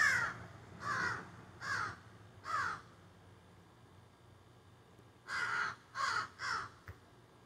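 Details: Backyard crows squawking and carrying on in the trees, filmed by phone: four rough, rasping caws in quick sequence, a quiet gap, then three more and a faint click.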